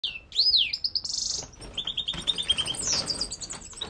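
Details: Aggressive, warmed-up male European goldfinch of the cocheur type singing: a rapid string of bright twittering notes, sweeping slurs and buzzy trills, with tinkling phrases climbing and falling high in pitch.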